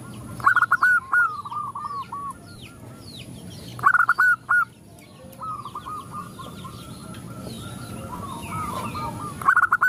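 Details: Several zebra doves respond to a female calling males; a loud rolling coo phrase at the start and another near four seconds, softer cooing runs between, thin bird chirps above.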